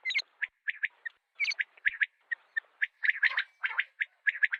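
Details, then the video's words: Common quail giving short, burry, mid-pitched notes, about three a second in uneven clusters, some overlapping as if from more than one bird. "Common Quail Calling | Batair Ki Awaz| Mote Batair Ki Awaz|Female Batair Ki Awaz |Quail sounds"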